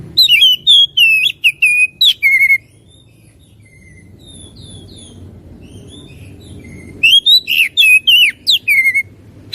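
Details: Oriental magpie-robin singing vigorously: bursts of loud, ringing whistled notes and sharp chips, a quieter gap filled with soft distant notes and low rumble, then another energetic burst of varied whistles.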